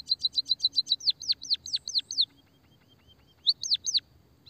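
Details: Munia (pipit, emprit) lure song for stimulating other munias. A quick string of high clipped notes runs into sharply falling whistles. After a faint descending tone and a quiet gap, two more down-slurred whistles sound.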